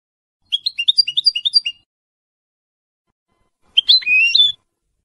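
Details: Colour goldfinch hybrid bred in 2022 with a big white bib, caged and finishing its first moult, delivers a rapid run of about a dozen high chirping notes, then a short warbled whistle phrase after a pause.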